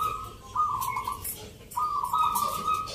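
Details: Local zebra dove song at a Mentaraman-style rhythm contest in Yogyakarta, Indonesia, in November. Two long quavering trilled coos are split by a quieter gap, with light background chatter.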